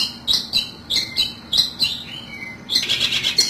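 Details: Long-tailed shrike lure call for trapping birds: spaced, rasping single notes every half second, then a denser burst of harsh scratchy chatter at the close.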